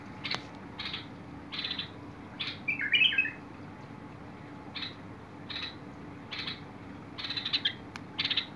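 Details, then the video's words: Bulbul singing, recorded 21 August 2022: short buzzy chirps repeated roughly every half second to second, broken by one brighter warbled flourish, over a steady low hum. "تغريد البلبل"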